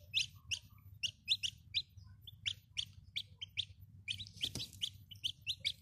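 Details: Chicks of the domestic chicken give bright, shrill cheeps in quick bursts, each note a brief falling whistle, with a sharp knock near the end and a faint low hum throughout.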